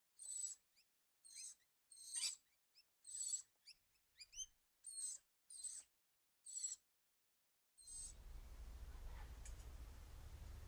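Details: A cockatoo visiting a feeding tree at night gives a string of about ten short, raspy, scratchy calls with small chirps in between. Steady rushing noise takes over for the last few seconds.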